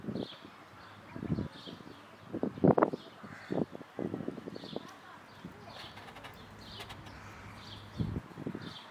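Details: Feral pigeon (Columba livia domestica) giving low, throaty, rumbling coos in uneven bursts, with faint distant birdsong and soft hum, in Tivoli landscape park, Ljubljana, Slovenia, on 23 May 2023.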